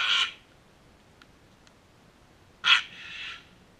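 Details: Sulphur-crested cockatoos in a backyard: two loud, harsh, broadband screeches, one at the start and one near the end, the second trailing into a rasping tail, with quiet ticks between.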